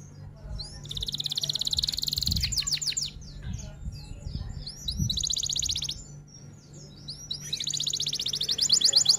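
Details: F1 canary delivering long roll-and-shots song: three bursts of rapid bright rattling trill, each a couple of seconds long, separated by softer chirps and warbles, with low thumping noise at times.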